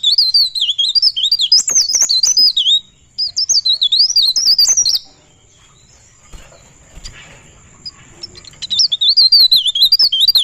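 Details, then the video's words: High rolling 'ngerol' song of a pare pare bird, with fast, continuous warbled whistles in two long runs. A quiet spell with soft rustling follows before the rapid warbling returns. "Burung Pare Pare Ngerol"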